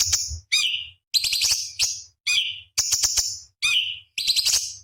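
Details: Cucak cungkok bulbul singing a sharp, spicy master song used to train competition birds: harsh, buzzy chattering bursts about half a second long, some ending in a falling whistle, repeated with short gaps.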